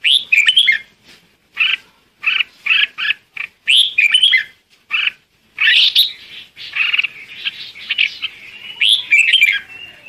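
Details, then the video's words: Red-whiskered bulbul calling its flock with a busy string of sharp chirps and rolling, warbled phrases, occasional longer whistled notes near the end, nearly continuous over ten seconds. "Chim chào mào gọi đàn"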